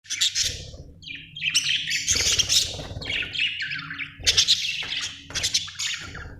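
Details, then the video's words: Budgerigar chirping: bright, scratchy high chirps and warbled bursts in close succession, with a steady low hum underneath. "budgie chirping sound"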